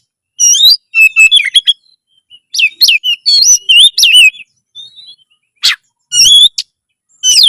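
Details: Loud Oriental magpie-robin song for building breeding drive and fighting spirit: clusters of high, looping whistled notes, short rapid phrases separated by gaps, and a few sharp bursts near the end.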